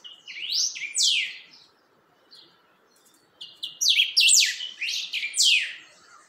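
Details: Creamy-bellied thrush (chalchalero) settling its song, with two phrases of sharp, high, falling whistles: a brief pair of notes, a quiet gap with faint chips, then a longer run of descending slurred notes.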